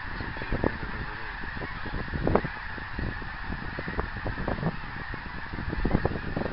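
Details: Honking geese overhead in flight on 24 January 2010, scattered single honks rising from a fairly quiet, low rumbling background, one standing out after two seconds.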